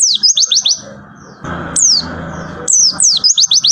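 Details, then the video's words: A white-eye gives fast, high downslurred whistles in a rapid 'tembakan' burst, breaks off while a rustling, scraping noise fills the gap, then resumes with another quick series of piercing descending notes. "Tembakan Pleci Bintang"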